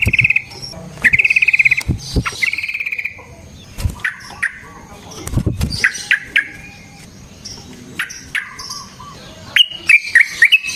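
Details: Sooty-headed bulbul in a fighting-song lure recording. Short bright trills and scattered chirps mix with wing flapping and thumps, the song broken into brief bursts.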